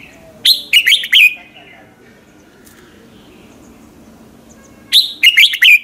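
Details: Morning song of a red-whiskered bulbul used as a lure for training other birds; two matching bursts of three or four sharp whistled notes, separated by about four seconds of quiet.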